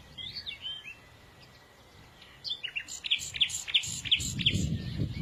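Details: Small birds chirping: soft high twitters at first, a short quiet gap, then a run of loud, sharp, evenly spaced notes over a low background rumble.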